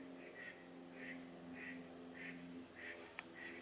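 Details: Common shelduck at Valle Canal Novo, Marano Lagunare, Italy, on 4 April 2024, giving a rapid series of six short, nasal, clipped calls, about two per second, over a steady low mechanical drone.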